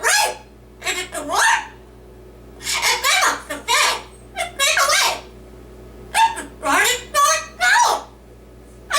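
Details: Pet male yellow-naped amazon parrot reciting a Dr. Seuss book indoors: rapid speech-like phrases in clustered bursts with pauses, voice rising and falling like spoken words, over nine seconds in a quiet room.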